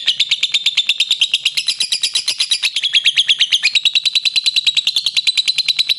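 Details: Lovebird in its ngekek style, a long, unbroken trilling song said to run past 50 seconds: a fast, shrill, rattling chatter of about ten pulses a second, staying high and shifting slightly in pitch.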